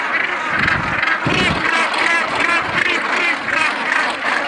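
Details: A dense, unbroken din of harsh, grating calls from a Northern gannet colony of some 105,000–108,000 birds on Bonaventure Island, Percé, Quebec, overlapping into a steady roar with rasping notes rising out about once a second.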